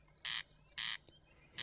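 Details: Corn crake (Crex crex) calling at nightfall from Swiss meadows and grassland, giving harsh, dry rasps, three in under two seconds, each a short grating burst, against a quiet background.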